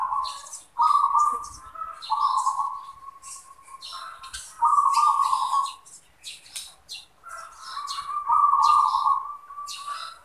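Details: Perkutut, the zebra dove, singing manggung: steady series of rolling trilled phrases about every two to three seconds, with faint clicks above.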